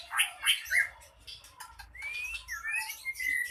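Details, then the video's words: Agitated ekor pendek, a short-tailed songbird, raging in song meant to rouse other birds to fight, used for contest training: loud harsh chirps and buzzy notes, then rising whistled slurs and rapid varied twitters in a busy, irregular stream. "Ekor pendek ngamuk,dalam hitungan detik burung anda pasti ikut tarung"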